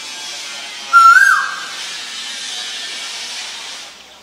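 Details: Asian koel giving a short, clear whistled note that rises quickly and then fades, with a faint fluttering sound above it and steady hiss throughout.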